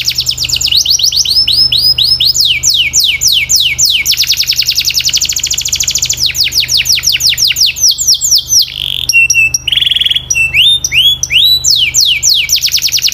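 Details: Canary training song, sweet and clear: continuous varied sequence of falling whistles, fast trills, a low buzzy rattle and sharp chips, delivered energetically throughout with a faint steady hum underneath.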